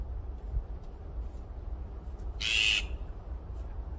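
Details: Azure-winged magpie in a flock: one harsh, raspy, buzzy squawk lasting under half a second, over constant low rumbling background noise.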